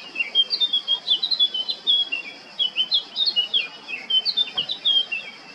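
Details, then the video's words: Recorded in Baška on Krk, Croatia, on 20 July 2022, a male Eurasian blackcap sings a sustained, hurried warble of high chirpy notes with brief pauses between bursts. A constant faint hum sounds behind it. "Crnokapa grmuša, mužjak (Sylvia atricapilla)(Birds of Croatia- Blackcap, male)"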